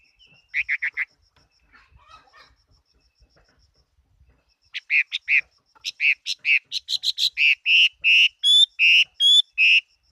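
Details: Chinese hwamei, a fighting bird, singing in 2018: a quick burst of clear whistled notes, a pause, then a fast series of loud repeated whistles that grows steadily stronger and more regular toward the end.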